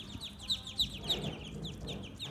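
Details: Several farm ducklings peep in a fast, overlapping chorus of thin, high, downward-slurred notes, a few every second, over a low murmur of background noise.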